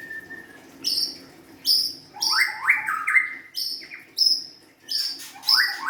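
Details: Singing white-rumped shama giving sharp, high ringing notes that alternate with lower, buzzy, down-slurred phrases. The pairs come in quick succession, with short pauses between them.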